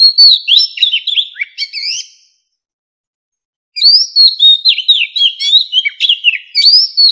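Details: Old wild Oriental magpie-robin in full song, a 2020 recording used to call wild birds and train singing: fast runs of loud slurred whistles and crisp chips in two long phrases with a pause between.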